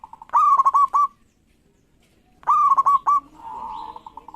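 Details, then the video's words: Zebra dove, local variety, singing to make rivals sing back: two loud phrases of a rising coo followed by rapid clipped notes, the second trailing into a run of soft, evenly repeated coos. "Perkutut Lokal Gacor Respon Cepat Bikin Lawan Langsusung Bunyi"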